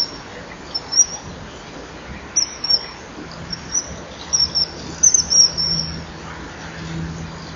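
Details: Common Kingfishers at a perch, female chasing the male from his fishing spot twice at 09:52 in January, give thin, shrill, very high whistles in short, irregular bursts, some doubled, over a faint steady low hum.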